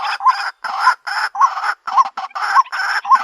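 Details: Female white-breasted waterhen calling for a mate: harsh, croaking notes repeated nearly twice a second, each ending in a short hooked tone, with brief silent gaps between bursts.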